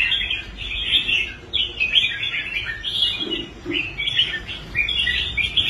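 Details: Former competition-shy red-whiskered bulbul, caged and rehabilitated, performing well on the show rack; short bursts of sharp, bright chattering phrases separated by brief gaps, with a pair of soft low notes near the middle.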